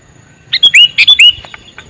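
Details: Calling male sooty-headed bulbul gives a quick cluster of about six loud, sharp chirps, bright and slightly rising, packed into under a second against a quiet background.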